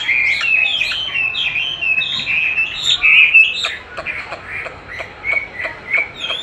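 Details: Chinese hwamei singing while being trained with playback of its own song, which it eagerly duels against; a fast stream of clear, varied whistled notes, bright and slurred, some repeated in quick bursts, fading toward the end.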